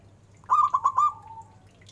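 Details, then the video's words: Local zebra dove prized for its big voice: one short phrase of four quick, stuttering coo pulses that fades into a gently falling trailing tone, over a faint low hum. "Perkutut lokal suara besar istimewa"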